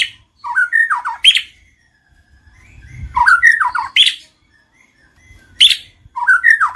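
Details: Shama lure song aimed at rousing singing and mating: three short repeated phrases of sharp jumbled notes, each followed by a louder high accent, with silence and faint low hum between them.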